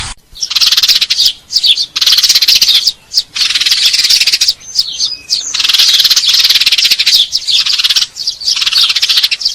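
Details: Eurasian tree sparrows giving fighting calls used to lure birds: dense, shrill, buzzy chattering in long bursts, broken by short pauses about every one to two seconds.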